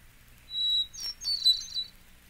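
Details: Hermit Thrush song: a clear, steady high whistled note, then a quick run of higher fluty, rippling notes lasting about a second, in a quiet setting.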